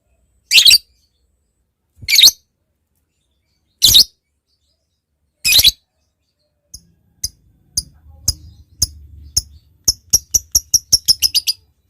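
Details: Lovebird calling as a lure to draw a rival: four separate harsh, high squawks about one and a half seconds apart, then a run of short ticking clicks that grows quicker and louder toward the end.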